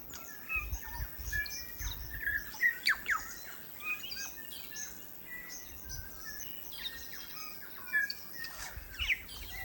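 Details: New Zealand bellbird (korimako) singing in native forest: scattered clear whistled notes and short liquid phrases with brief slurred chirps, spread through the recording over steady background noise.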